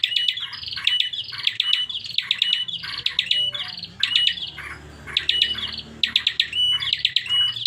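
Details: Bar-winged prinia in unusual calling: dense trains of high, buzzy ticks and short flat whistles, repeated phrase after phrase, a faint low sound under one gap.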